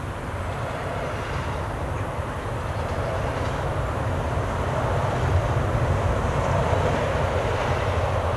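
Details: Steady rumbling and roaring noise like a passing train or vehicle, growing slightly louder, with no animal calls heard.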